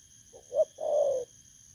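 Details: A single soft coo phrase from a wild-caught spotted dove (thổ cấn) at a decoy setup. It has two quick short notes and then one long, level hoot, over a steady faint high-pitched hum.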